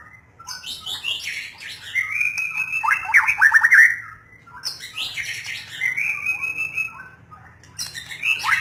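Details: White-rumped shama delivering two long song phrases. Each opens with rising whistles, then a sustained whistle, then a fast run of sharp downslurred notes. A low hum runs underneath.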